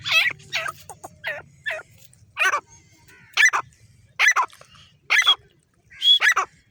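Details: A female grey francolin gives a steady series of harsh, rasping notes, each sharply rising and falling, repeated roughly once a second with brief silences between them.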